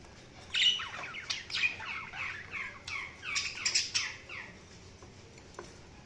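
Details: Budgerigar chirping in a steady run of quick, warbling downslurred notes, high and slightly scratchy, fading into a few scattered chirps.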